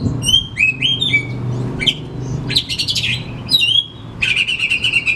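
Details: Caged oriental magpie-robin song used as a lure to prompt a reluctant bird at home to sing: varied whistled phrases, trills and harsh buzzy notes, switching pitch quickly, over a steady low hum indoors.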